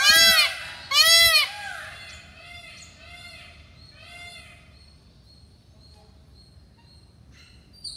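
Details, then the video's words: Indian peafowl at Karanji Lake, Mysore, during a courtship display with its train raised and quivered; two loud, harsh, wailing calls open the recording, followed by quieter repeated nasal notes and faint chirps of other birds over a soft rural background. "Peacock Dance, Sounds Of Peacock"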